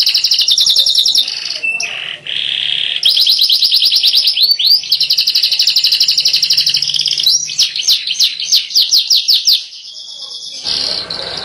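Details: Yellow canary in full song, pouring out high continuous rolling trills, with tour changes into quick swept notes and sharp repeated chips, then a softer ending phrase after a brief break.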